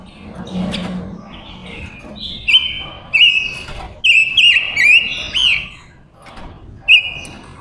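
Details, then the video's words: Silver-eared mesia female decoy singing to lure wild males, with a soft low murmur at the start, then bursts of clear whistles with fast buzzy flourishes, separated by short pauses. "Ngũ sắc hót mồi gọi bổi"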